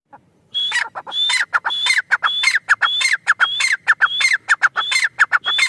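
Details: Grey francolin calling loudly in a fast, rhythmic series. Each phrase opens with a high, thin note followed by several harsh, descending clucking notes, repeated about ten times in under six seconds with little background sound.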